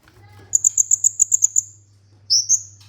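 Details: Tutor and lure song of an olive-backed sunbird: a quick trill of about nine high, pure, even notes, then a pause and a rising whistled slur, over a faint low hum.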